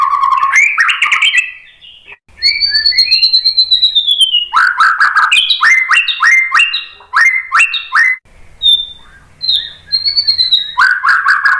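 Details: Lure song of a white-rumped shama: rich, varied whistles, including a long high descending whistle, clipped repeated chattering notes in quick series and brief sweet notes, delivered in energetic bursts.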